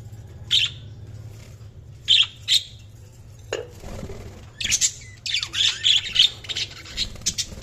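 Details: Budgerigars chirping: spaced single harsh chirps early, then a dense run of rapid scratchy chirps and whistled notes toward the end, over low background hum.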